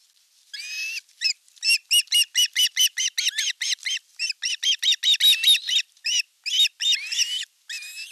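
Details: Western Finland osprey nest in Satakunta, 5 August 2024, fish being delivered as the older chick assaults the younger one; an uneven chatter of high chirps and slurred whistled notes, faster in bursts.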